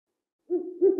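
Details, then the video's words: Owl hooting at night: after a moment of silence, a low, hollow hoot rises, wavers briefly, then swells again into a second low note. "Le hululement du hibou 🦉 Le Cri du hibou - The cry of the owl"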